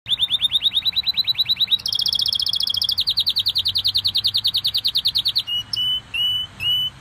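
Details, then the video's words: Pet canary singing energetically: fast repeated high trills in several phrases, first rapid rising notes, then a buzzier higher roll, then a steady trill, ending with slower drawn-out whistled notes. "Best canary singing. Ringo singing his heart out!"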